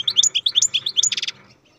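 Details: Song of a captive-bred European goldfinch: a quick string of bright liquid twitters sliding up and down, closing with a harsh buzzy rattle before fading out.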